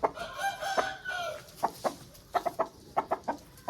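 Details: Aseel rooster: the drawn-out tail of a coarse crow, followed by quick, choppy clucking notes in uneven bursts.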